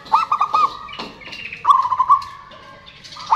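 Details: Zebra doves, male and female calling back and forth, a lure for silent birds: two rapid, rolling trilled coo phrases separated by a pause.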